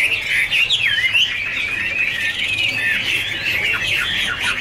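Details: Garrulax canorus, the Chinese hwamei, warbling in a duet with dancing: sweeping slurred whistles and a steady stream of overlapping melodic phrases.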